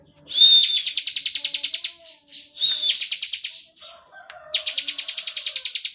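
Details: Bar-winged prinia delivering standard 'ngebren' song as a lure for other prinias. A whistle leads into a long, even trill of sharp buzzy pulses, then a shorter burst and a third long trill after a pause.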